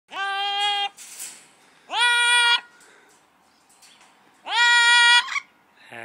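An Amazon parrot sings three long, steady, nasal notes, each under a second, with pauses of about two seconds between them in a quiet room.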